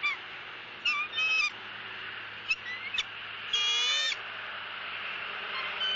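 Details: Female bald eagle begging at a southwest Florida nest as the male feeds her fish; scattered short harsh squeals, then one longer strident squeal, over a background hiss.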